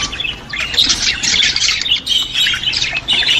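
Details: Budgerigar song used to stimulate budgies: continuous dense warbling and squawky chatter, shrill and scratchy throughout, with brief dips between bursts.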